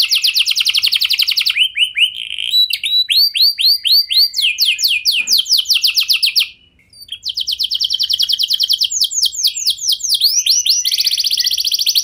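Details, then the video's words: Lure song of a canary, meant to prompt other canaries to answer; a long varied run of rapid trills and repeated descending whistled syllables, with a short pause midway before the rolling phrases resume. "99,99% Pasti Kenari Lain Langsung Respon Dengan Pancingan Kenari Gacor Lagu Istimewa Ini"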